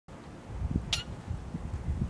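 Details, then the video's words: A Boat-tailed Grackle gives a single short, harsh, high-pitched chip note over a steady low rumble of background noise. "Boat Tailed Grackle Call"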